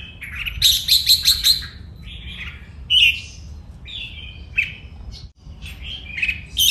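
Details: Red-whiskered bulbul kept as a cage bird, singing a training song: rapid series of bright whistled notes, then repeated rich warbling phrases with short gaps, loud and continuous throughout.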